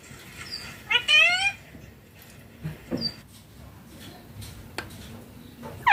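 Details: Pet ringneck green parrot talking indoors: a short burst of wavering, harmonic, speech-like syllables, then quiet with faint chirps and clicks, ending in a sudden loud note.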